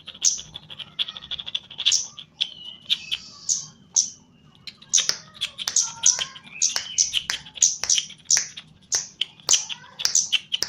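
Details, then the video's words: Chestnut-capped laughingthrush of the Javanese type, vocal during training: dense bursts of sharp, clicking high chips with interwoven falling and rising whistles, building to a fast chattering sequence, low hum underneath. "KEMADE JAWA GACOR"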